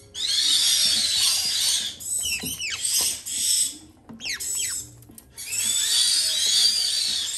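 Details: Parrot chicks, Jardine's parrots being hand-fed and caiques waiting their turn, give a continuous harsh, hissing rasp in long bursts, broken in the middle by a few quick sweeping chirps.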